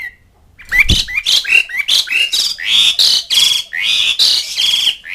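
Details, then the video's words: Asian pied starling calling to mates and rivals in a fast run of loud grating squawks and whistled slurs, nearly continuous for about five seconds. "NADA KICAU CALLING JALAK SUREN MEMANGGIL LAWAN"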